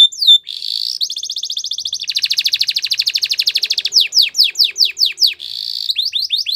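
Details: Belgian canary singing: an opening slurred whistle, then a fast buzzy trill of rapid even pulses, followed by a series of sweeping downward-slurred notes and a final quick rolling trill.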